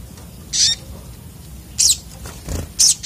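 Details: Sunbird (sogok otong) in agitated song: three shrill, buzzy, very high bursts roughly 1.2 and 1 seconds apart, with a soft low knock between the last two.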